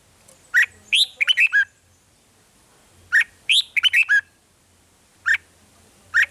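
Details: Red-whiskered bulbul giving its 'rik' song to stir up caged birds: two lively phrases of four or five bright, slurred whistles, each followed by lone sharp notes, over a soft low rumble.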